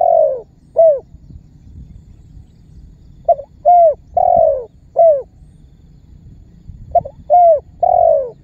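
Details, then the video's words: Spotted dove giving its calling (memanggil) lure call, used by bird trappers to make other birds call and draw target birds near. Three phrases of a brief stuttered note followed by mellow descending coos, in a quiet background. "SUARA BURUNG TEKUKUR MEMANGGIL DAN MENEKAN MEMBUAT BURUNG LAIN IKUTAN BUNYI"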